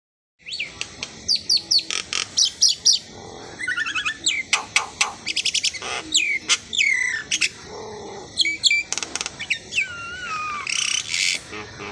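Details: Asian pied starling singing a long, varied medley: rapid bursts of sharp high chirps and clicks, buzzy harsh notes, and clear whistles that slide down, with several short phrases packed into every second.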